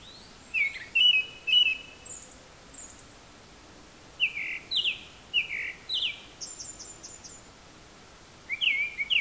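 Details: Japanese thrush singing from very high up, out of sight, apparently mimicking various other birds: clear whistled phrases, some sliding up or down, plus thin high trills and chips, delivered in bursts with pauses, over steady low background noise.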